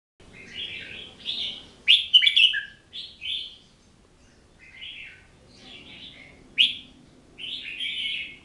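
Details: Oriental magpie-robin singing: a string of clear whistled and slurred phrases, some sweeping down, separated by short pauses, with one louder burst of rich notes near the middle; quiet background.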